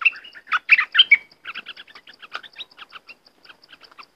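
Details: Southern dok taeng bird singing a training song for young birds: loud twittering chirps and short whistled slurs early on, then a longer string of thinner, softer clicking chirps that fade toward the end, with no other sounds.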